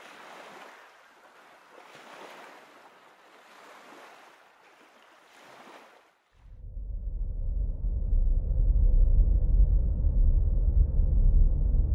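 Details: Soft rushing air gives way halfway through to a loud, steady low rumble of wind, with no animal calls heard.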